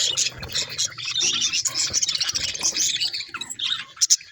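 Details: Budgerigars chirping: a dense, continuous warble of high, scratchy chatter and short twittering notes, with a few sharp clicks near the end.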